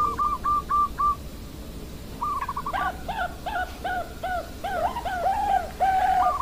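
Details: Bangkok perkutut (zebra dove) recorded 16 October 2023: a short row of clipped higher notes, a pause, then a busier sequence of rapid notes and lower looping coos over constant background noise.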